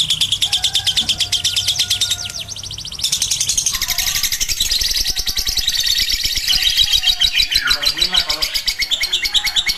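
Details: Lovebird ngekek long chatter, dense and layered, with rapid high chirps running together into a continuous buzzy trill and some overlapping chattering in the background.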